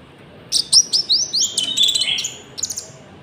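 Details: Konin song for luring and training birds, with cricket sounds: a fast run of high whistled notes stepping gradually downward, then a few short chirps at the end.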